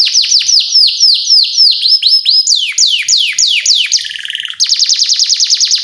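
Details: Energetic canary song used as a lure to train young canaries, with long repeated 'cuit' chirps: a fast series of high downward-sweeping whistles, then a short buzzy section and a closing run of rapid, even, high notes.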